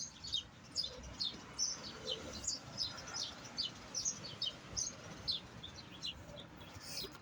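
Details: European goldfinch song of rapid, high, sparkling chirps and downslurred twitters, rolling along continuously for seven seconds, with faint low background noise.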